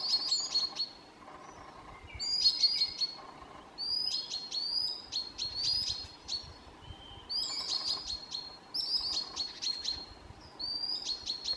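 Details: A common sandpiper at midsummer in Southern Savonia, Finland, with its nest thought to be close, gives high, thin piping notes in short bursts about every second, some slurred upward, over a faint low hum.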